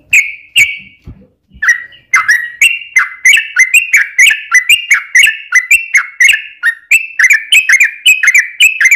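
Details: Yellow-vented bulbul delivering long rapid 'ropel' song as a lure for other bulbuls: a couple of ringing notes, a pause with faint low knocks, then a long sequence of bubbly, jerky chirps.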